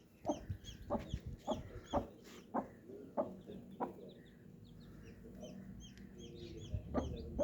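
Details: Colourful baby chicks giving thin, high, downward-slurred peeps in quick overlapping bursts, mixed with a series of sharp knocking taps roughly every half second in the first four seconds, over faint low background noise.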